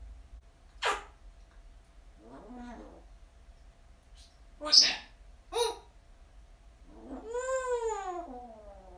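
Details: A pet parrot indoors, happy and chatty, grumbling and talking: scattered short voice-like bursts, then a longer arched, harmonic drawn-out utterance near the end, with quiet room hum between sounds.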